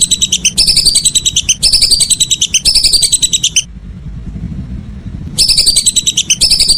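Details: A whistling duck in the evening gives three back-to-back bursts of quick, high whistled notes, falls silent for almost two seconds, then starts another burst.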